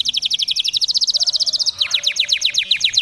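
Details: Canary singing to stimulate males: a rapid even trill of high chirps, nearly four per second-tenth, that shifts midway into a slightly slower, sharper series of downslurred notes.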